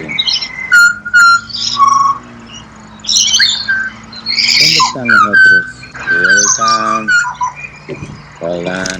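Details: Pied butcherbird singing in Australia: clear whistled notes, some held flat and some sliding, mixed with short rich phrases and clusters of high chirps. A lower harmonic voice-like sound also enters the middle of the phrase.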